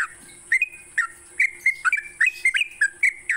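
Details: Morning song of a sooty-headed bulbul played to encourage pet bulbuls to sing: clear, liquid whistles, each a quick upward slur, repeated about three times a second in a cheerful run over a faint constant high hiss.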